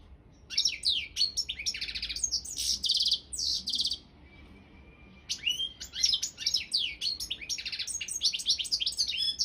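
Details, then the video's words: Championship goldfinch, subspecies balcanica: long stretch of fast twittering with nasal buzzy bursts, a faint thin whistle during a brief lull, then a second lively burst of chattering song. "Pesma štiglića 002/23 World Championship in Goldfinch Song"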